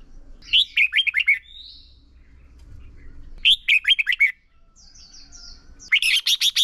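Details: Caged red-whiskered bulbul used as a decoy bird for training other bulbuls, singing in contest style: loud bursts of rapid, chattering whistled notes in phrases about every three seconds, with softer thin high whistles between phrases.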